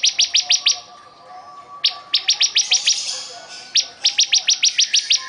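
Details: Bar-winged prinia repeating three quick volleys of sharp, high staccato notes, each volley about a second long at a steady fast pace, with short pauses between and a soft background tone.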